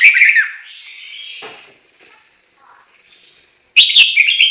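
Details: Chinese hwamei singing: a loud burst of rich, warbled whistles, then a softer drawn-out whistled note, a near-silent pause, and another bright, loud flurry of whistles cut off at the end.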